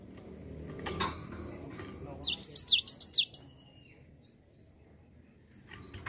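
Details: Java sparrow used as a lure to prompt a lazy bird to sing: a short burst of about six high, sharply descending chirped notes around the middle, with faint clatter and low background noise before and after.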